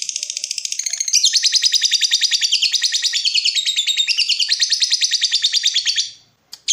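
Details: Lovebird in breeding mood giving a long ngekek call to provoke a rival: a continuous, fast, rattling chatter of rapid high buzzy notes lasting about six seconds, then a brief pause and one sharp squawk.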